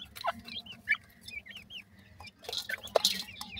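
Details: Young francolin chicks, happy in the summer season, giving a few curved, rising peeps in quick succession, followed by loud scraping and clicking noises.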